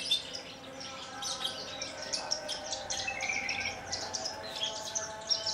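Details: Horsfield's bush lark from Kulon Progo, a captive bird that sings with quivering wings after hovering, giving a quiet stream of high, scratchy chirps and short whistled notes, with light background noise.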